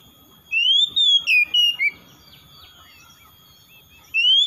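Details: Oriental magpie-robin (kacer) song meant to prompt a reluctant bird to sing: a rising clear whistle, then a quick string of four or five short whistled notes stepping downward. A fresh rising whistle begins after a pause.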